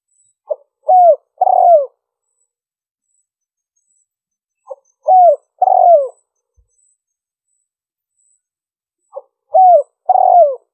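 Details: Spotted dove call used for luring birds: a three-part phrase of a short clipped note and two mellow descending coos, repeated three times about every four and a half seconds. A faint high steady whine sits in the background.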